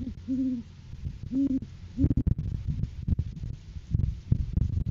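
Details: Great horned owls during courting season on a live cam, as a male arrives with a food gift for the female. Three short, low, deep hoots come in the first two seconds, then crackling, thumping handling noises dominate.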